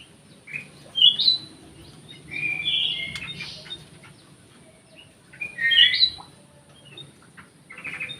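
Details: Orange-headed thrush in an aviary delivering short bursts of bright whistled and warbled notes, separated by pauses of a few seconds, over faint background hiss.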